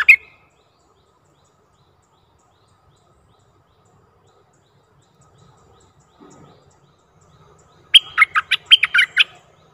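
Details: Bulbul decoy calling in a very old wild bird on 11 August 2021: a brief note at the start, long quiet, then a loud burst of about seven rapid, bubbling whistled notes near the end.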